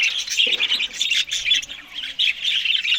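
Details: Several Australian budgerigars feeding on green food in the morning give a steady stream of high, scratchy chirps and warbled chatter, with a brief lower knock near the start.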